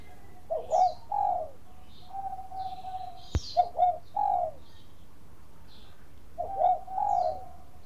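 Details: Bangkok-style zebra dove song meant to lure other doves into singing: repeated phrases of stuttering rolled coos ending in a drawn-out mellow note, recurring about every three seconds, with one sharp click and soft background chirps.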